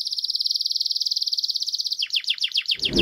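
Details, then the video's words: Male canary song tied to mating and stimulating females: a long fast even trill of high rapid pulses for two seconds, then quicker dropping sweeps, ending with a brief low rustling noise. "تغريد كناري ممتع Canary singing is fun"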